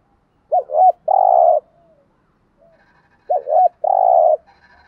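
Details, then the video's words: Spotted dove cooing, a male and female recorded to stimulate trained birds: two short looping notes followed by a long, rolling, buzzy coo, the three-part phrase given twice with about two seconds between. "cu gáy thúc gù bài bản/ tiếng chim cu gáy kích bổi mới rất hiệu quả/ cu đất thúc gù"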